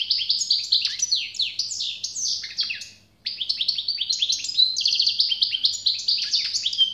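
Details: Sustained European goldfinch song: busy, tinkling twitters and slurred chirps with one short break midway, then resuming just as lively.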